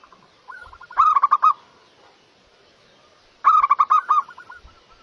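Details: Local zebra dove singing actively: two cooing phrases about three seconds apart, each opening with soft low notes, then a rapid run of loud pulsed, rolling coos ending in fading notes; quiet background otherwise.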